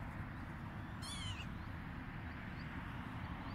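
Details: A northern lapwing, one of about six flying over a green field at Askisto, Vantaa, Finland, on 29 May 2021, possibly nesting there, gives a single wheezy rising-then-falling 'pee-wit' call over steady low wind rumble.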